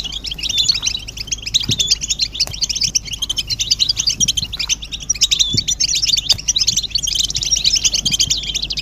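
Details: Group twittering of European goldfinches used to stimulate males to sing. Rapid metallic chirps and buzzy trills stream on continuously from several birds, with occasional soft knocks underneath.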